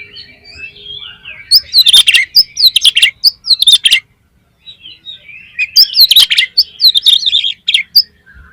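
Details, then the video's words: Oriental magpie-robin in full, loud song intended to prompt rival magpie-robins to sing: two dense phrases of piercing whistled sweeps, trills and clicks separated by a brief silence. "PANCINGAN KACER BOCOR ALUS ‼️ NGEPLONG BIKIN GAIRAH KACER LAIN CEPAT BONGKAR ISIAN"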